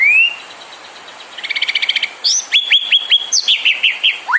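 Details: Provoking song of a white-rumped shama, played to stir other birds into singing: a rising whistle, a fast stuttering rattle, then a run of clear downward-curving whistled notes repeated in quick succession.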